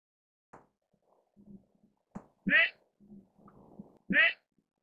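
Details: An albino mandarin duck (Aix galericulata) gives two loud, squeaky, slightly descending calls about two seconds apart, with soft low murmuring and small clicks between them.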